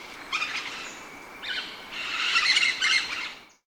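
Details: Rose-headed parakeet giving scratchy, screeching calls in irregular bursts, the loudest stretch a rough, continuous chatter near the end before fading out.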